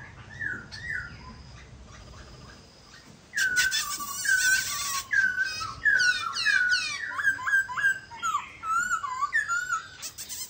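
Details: Silver-eared laughingthrush from Vietnam in full song. After a few soft whistled notes, loud, varied phrases burst out: clear rising and falling whistles mixed with rapid warbled runs, repeated energetically with short pauses.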